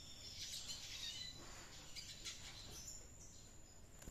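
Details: Caged red siskin singing actively in an aviary: dense, high chattering twitter in the first seconds, then scattered thin chirps and a sustained high whistle-like tone, over low background rumble.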